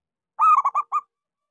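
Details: One rolling cooing phrase from a local zebra dove, kept to coax silent doves into song: a strong drawn first coo followed by three quick clipped coos, clean and without other sounds.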